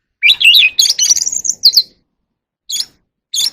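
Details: Contest-singing Oriental magpie-robin gives a dense burst of varied warbled and whistled notes, then falls silent except for two brief chirps.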